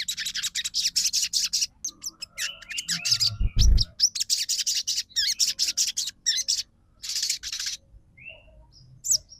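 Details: Crimson sunbird lure song: long runs of fast, high ticking chirps, a few rising slurred whistles, and a loud low thud in the middle.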